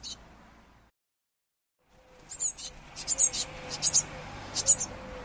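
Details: A blue tit chick being fed by its parents at a window in Bayreuth, Germany, in June 2015 gives thin, very high, hissy chirps in quick bursts, some paired, after a brief silence, over a faint low hum. Finding: Eurasian blue tit.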